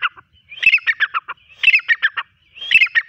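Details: Hand-raised partridge perched on a person's hand, calling in loud chattering bursts of harsh, clipped notes, the phrase repeated about once a second, three times in a row.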